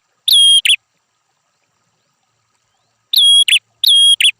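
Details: A red-headed prinia gives one strong whistled note with a buzzy tail, then falls silent for over two seconds before two more identical piercing notes follow close together.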